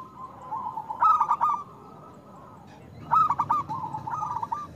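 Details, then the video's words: Loud local zebra dove, recorded as a lure for doves that rarely sing: two phrases about two seconds apart, each a bright, fast pulsed coo run trailing into softer rolling notes. "Perkutut lokal gacor Suara Besar Pancingan Untuk Perkutut Susah Bunyi"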